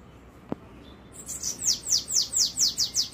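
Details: Bananaquit song, recorded at 7:17 on Wednesday 13 March: a fast string of very high, thin, hissing notes, each sliding downward, about four per second, after a single soft knock.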